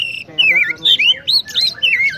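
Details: Energetic Oriental magpie-robin song, the bird known as kacer: a continuous stream of rich, warbling whistles rising and falling, interspersed with a few buzzy notes, packed into just over two seconds.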